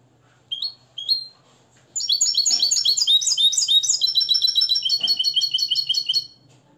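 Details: Nest-raised European goldfinch from Morocco, trained in the limpio song style, opens with two separate rising chirps, then pours out a long, rapid, tinkling twittering phrase.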